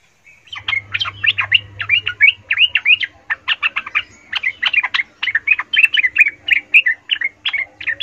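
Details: Yellow-vented bulbul in an emotional, provoking song: a continuous, varied stream of rapid, bubbling and chattering notes that rise and fall, with a low hum in the background.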